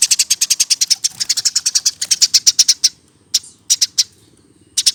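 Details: Eurasian tree sparrow, caged bird hand-fed from a nestling and now over a year old. Delivers a rapid, rattling string of high chirps for nearly three seconds, then scattered single chirps with short silences.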